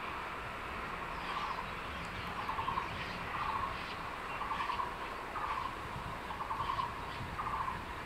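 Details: At a secondary-forest nest, a male crested goshawk holding a tree lizard keeps calling for the female to take the food. Clipped, rasping mid-pitched notes come roughly every second over a steady background hiss.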